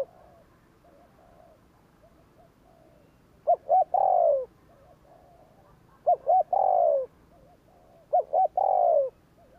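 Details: Spotted dove cooing in the 'gù kích' style to provoke wild doves: three loud bursts of two quick clipped notes and a long falling coo, over faint distant cooing from other doves.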